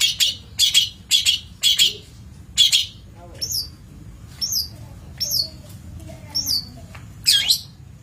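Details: Long-tailed shrike on a master recording for training birds: a series of rasping broadband notes followed by clear downward-sweeping whistles, ending in another harsh burst.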